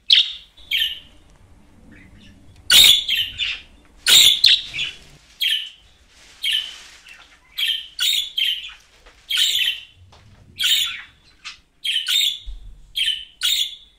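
A budgerigar chatters in bright, scratchy chirps and warbles, repeated in quick bursts.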